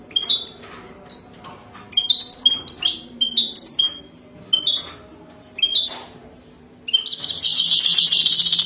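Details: European goldfinch, a wild bird, singing its mating song: short, clear, high whistled notes and brief twittering bursts separated by pauses, ending in a dense, buzzy, continuous twitter; faint low hum in the background.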